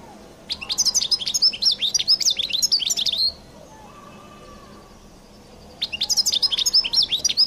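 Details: A European goldfinch delivers its distinctive song, a dense three-second stream of rapid, liquid twittering notes, a pause, then a second quick burst of the same high chirping.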